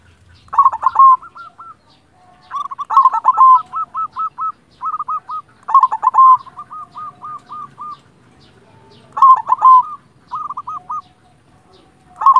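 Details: Repeated song phrases from a local silver zebra dove: each opens with a loud stuttered cluster, then runs into a quick series of short, curling coos, about every two seconds with short pauses.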